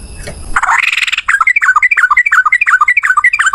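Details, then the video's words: Yellow-vented bulbul in a long, rapid fighting song, a fast chain of bubbly down-slurred notes about three per second after an opening noisy burst. "trucukan gacor TARUNG ROPEL PANJANG"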